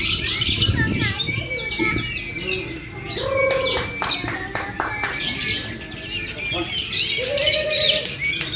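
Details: Lovebird singing at a bird-singing competition in Muara Wahau: dense, rapid high chirping and chattering trills over a busy background with voices of people and other birds.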